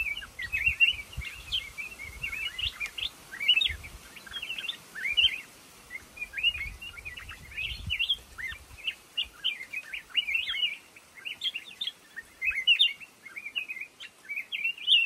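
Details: Black-crested bulbul song from a lồ ô bamboo thicket, a long run of lively chirping phrases, quick rising and falling whistled notes packed closely together, with faint low knocking in the first half.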